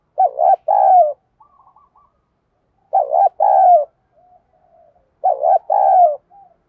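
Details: Decoy-training coo of a spotted dove in the 'giọng đồng' voice: three strong low phrases, each a paired short note and a longer falling coo, with brief faint warbled notes in the pauses.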